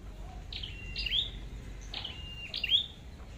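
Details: Two clear high calls from a red-headed flowerpecker during trapping, each a falling squeaky note joined by a thin flat trill to a bright upward tick, about a second and a half apart.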